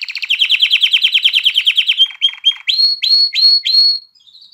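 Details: Domestic canary song for rousing hens to mate and teaching youngsters to sing: a fast, loud, pulsing rattle-trill for two seconds, then short notes and several rising swept whistles repeated about twice per second.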